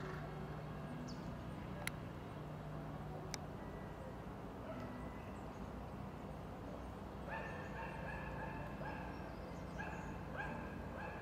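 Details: A European green woodpecker in Tivoli landscape park, Ljubljana, on 15 December 2022 gives a fast, ringing series of laughing notes in the second half, over a steady low traffic-like rumble with two sharp clicks early on.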